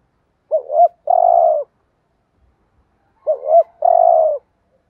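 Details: Spotted dove cooing in the thúc gù style, used to stir caged decoy doves into calling: two phrases about three seconds apart, each a short doubled hoot followed by a long, steady, slightly falling coo.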